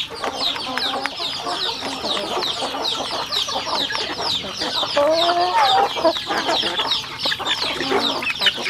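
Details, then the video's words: Rural farm chickens while eating: dense high peeps sweep downward in quick succession, a wavering lower call rises and falls in the middle, and pecking clicks continue. "Yummy sounds chicken eating"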